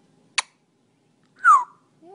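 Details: An African Grey Parrot, seeing himself in a selfie camera and testing it with barks and words, gives a single short, falling squawk-like note after a sharp click, with a person speaking softly at the end.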